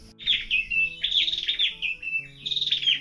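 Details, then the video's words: Various birds singing on a rural morning in Negros Oriental, Philippines, including alimokon, tukmo, pirok-pirok, kukok and punay: bright high chirping phrases, sliding whistled notes repeated in bursts, with a low steady hum beneath. "Iba't ibang klase yung huni ng ibon yung naririnig mo."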